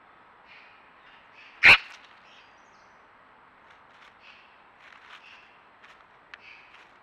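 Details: Eurasian magpie (Pica pica), call.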